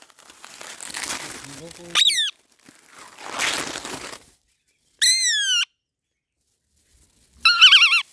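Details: Parrot laughing "haa haa ha": three loud, wavering, harmonic bursts that ripple up and down. Breathy, hissing stretches fill the gaps between them, with silent pauses after each burst.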